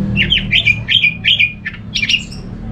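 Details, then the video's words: Orange-headed thrush sound used as a lure for other thrushes: a string of harsh, squawky rising and falling notes repeated in quick succession, with a low hum underneath. "Suara burung ANIS MERAH ini ampuh bikin ANIS Jenis apapun ikut bunyi, pancingan Suara Sebagai Terapi"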